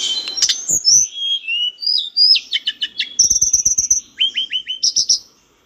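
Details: Cage-bird training recording of a mountain bush lark singing energetically: high whistles, rapid stuttering trills and series of down-slurred chirps in quick succession.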